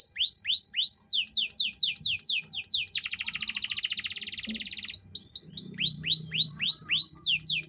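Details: Canary in energetic cengkok mewah song, played to teach young birds: quick high downslurred whistles repeated steadily, a two-second dense buzzy trill, then the slurred whistles resume. A soft low rumble sits in the background.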